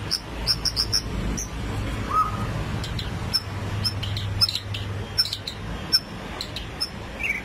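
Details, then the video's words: White-rumped shama in 'rít thuốc lào' style song: a string of sharp, high, clicking notes repeated irregularly, with one lower whistled note midway and a brief rising twitter at the close, over a low background hum. "chòe lửa đuôi tôm hót rít thuốc lào"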